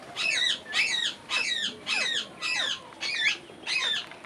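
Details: Parrot chirping: seven harsh, raspy squawks, each rising then falling, repeated about every half second at a steady pace against a soft hiss.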